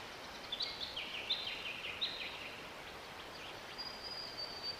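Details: A Cicadabird (Edolisoma tenuirostris) in Victoria, Australia, in January 2024 gives faint, high, buzzy rasping phrases for about two seconds, much like a cicada, over steady hissing background noise.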